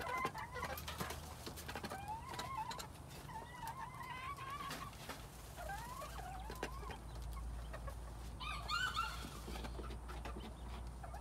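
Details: Quails recorded in spring 2021, giving a series of short whistled calls with rising and falling slurs, repeated irregularly, over steady low hum and frequent clicking and tapping noises.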